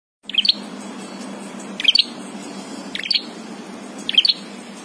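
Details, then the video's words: A prinia gives a clear call of four short, bright, high chirping bursts, each roughly a second and a half apart, over a steady low hum; used as a training song for other birds. "suara prenjak jernih"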